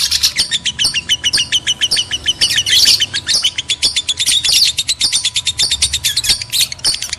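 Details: Male and female lovebirds in a sound played to stimulate mating: loud, fast, high chirps repeated in long runs, interrupted by rasping bursts, busy and continuous for the whole stretch, with a faint hum beneath.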